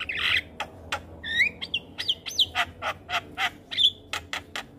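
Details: Javan myna gacor singing for teaching juveniles: a rough opening squawk gives way to rising whistled slurs, a high sweeping note and a run of evenly spaced clipped clicks.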